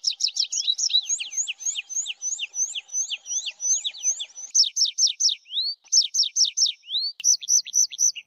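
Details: Tree pipit singing a rapid chain of sharp, high, downslurred notes, shifting into louder repeated strokes and sweet rising and level whistles near the end, with a faint low steady tone in the first half.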